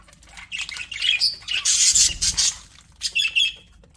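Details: Budgerigars kept as pets give bursts of harsh, buzzy squawks and quick high chirps, then a short whistled trill and a few scattered notes before going quiet.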